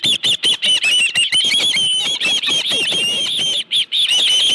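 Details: Osprey at a nest with a live fish, July 2018, late afternoon: a near-continuous run of loud, shrill whistled yelps, some notes blurring together, with two short breaks near the end.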